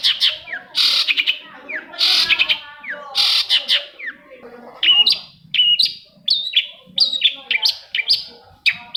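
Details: Long-tailed shrike song played to coax other shrikes into song: harsh scratchy bursts alternating with sweet slurred whistles, then a quicker series of sharp chirps, rich and varied throughout.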